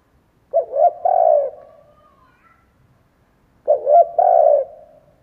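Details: Spotted dove used as a decoy, cooing to draw in wild doves: two low three-note phrases about three seconds apart, each ending in a sustained coo, with a faint thin tone after the first.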